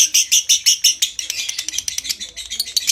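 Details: Lovebird giving a long konslet-style 'ngekek' trill, used as a training recording to stimulate breeding condition: shrill, high chattering notes repeated about six times a second, speeding into a denser run near the end.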